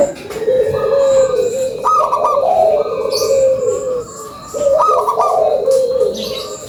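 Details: Energetic local zebra dove giving its lure song: repeated phrases of rippling, bubbly coos, each ending in a drawn, slightly falling note, separated by short pauses.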